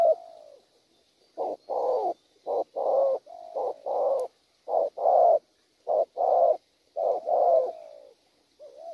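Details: Wild-caught spotted dove, praised for its fine voice and set cooing pattern, giving deep, hollow coos in rapid groups: short paired notes followed by a longer rolling coo, repeated about nine times over a quiet background.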